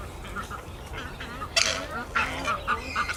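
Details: Purple swamphen at Cup & Saucer Creek, Earlwood, Sydney, Australia, in May 2019, giving repeated soft squawks likened to hiccups: short nasal notes in an uneven series over steady background noise.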